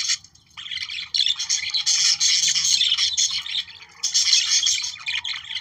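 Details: Busy budgerigar chatter for stimulating breeding, a steady flow of squeaky, buzzy twitters that swells after one second and again after four.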